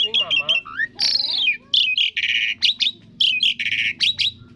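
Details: Varied 'seribu suara' singing from an Asian pied starling (jalak suren): a long descending whistle, grating buzzy phrases and quick sharp chips, alternating in short loud bursts over faint background music.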